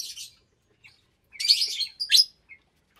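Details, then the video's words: Lovebirds at meal time in January 2023, in an aviary of about 25 birds of parblue, euwing, opaline, lutino and albino varieties: brief harsh, scratchy chirps in short bursts, separated by quiet gaps. "Lovebird Meal Time"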